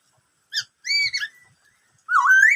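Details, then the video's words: Brief "bắt cô trói cột" singing of a black-throated laughingthrush: a short sharp note, a held bright whistle breaking into a fall, then a rising warbled whistle. "em khướu bạc má hót bắt cô trói cột [noog sab hwj quaj suab ntau yam zaj suab]"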